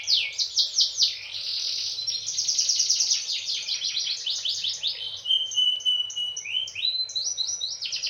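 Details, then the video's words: Canary singing to encourage other canaries to sing, an unbroken stream of fast high trills and rattling rolls that change speed, with a short steady whistled note partway through. "mancing kenari biar bunyi"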